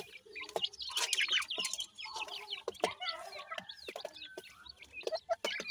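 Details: Several grey francolin chicks, locally dakhni teetar, calling as they feed. Dense, high chirps and squeaky cheeps crowd together, with a few lower clucking notes and sharp tapping clicks.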